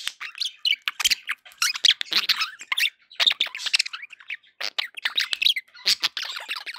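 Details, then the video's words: Pet budgies warbling and squeaking, a rapid jumble of harsh clicks, squeaky notes and scratchy squawks running almost without break. "1 hour of budgie sounds for pet parakeets to make tham happy"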